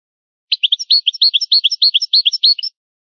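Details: European goldfinch song from an old, rare tape: about two seconds of bold falling chirps alternating with thin high notes, in a regular bouncing rhythm of roughly three notes a second, with no background noise.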